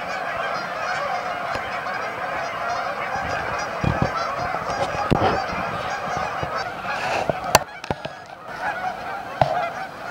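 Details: Honking chorus of Canada geese at their Amber Trails Lake staging area in Winnipeg, overlapping calls throughout, interrupted by several sharp clicks and knocks, mostly in the second half.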